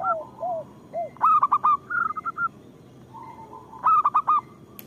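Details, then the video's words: Local zebra doves singing, played as a lure and therapy to get lazy doves singing: soft arched coos, then bursts of quick staccato notes with a rolling series of short hoots around them. More than one bird may be calling. "Perkutut lokal gacor Suara Pancingan Paling Disukai Burung Perkutut"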